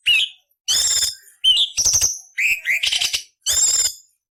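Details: Training recording of a cucak cungkok for murai, cucak ijo and kacer, harsh nyerecet variation: six close phrases mixing slurred whistles dropping and rising with grating, buzzy high chatter, each under a second long.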